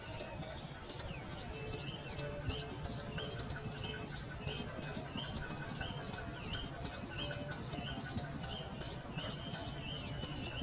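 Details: Rapid, high chirped notes from a pipit, sliding up and down and repeating densely, several a second, over steady low-pitched background rumble.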